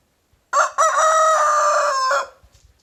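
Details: In a backyard, a young big brown rooster gives one loud morning crow that a Silkie rooster objects to, chasing him; a brief rising start, then a long sustained harmonic note ending abruptly, with faint clucking afterwards.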